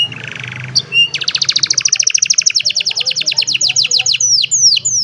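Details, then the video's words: An old canary sings on a sunny morning, recorded by cellphone: a short buzzy phrase, then a fast, high, rattling trill that slows into separate downslurred whistles. "The Beautiful Sound of an Old Canary, in a Sunny Morning"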